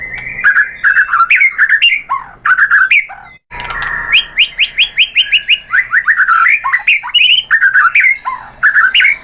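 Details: Loud, varied White-rumped shama phrases used to provoke other birds to sing: slurred chirps and whistles, a brief gap, then a rapid descending series of notes.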